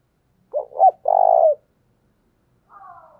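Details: Caged spotted dove acting as a decoy, giving the urgent coo meant to call in wild doves: a wavering, broken double note, then a long buzzy coo sagging at the end, followed by a faint, short, falling wavering sound.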